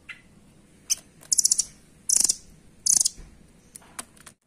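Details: Velvet-fronted nuthatch, locally called rambatan, giving short, rapid, dry trilled bursts at very high pitch, spaced irregularly about once a second, with faint clicks between them.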